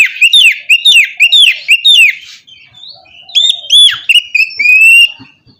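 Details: Morning song of a white-rumped shama, played to stir a lazy bird to sing: a rapid series of repeated down-slurred whistles followed by sliding, ringing notes and a long rising whistle.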